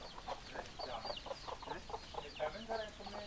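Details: Hens clucking in a flock: many overlapping short, rough clucks and squawky notes repeating rapidly over a noisy background.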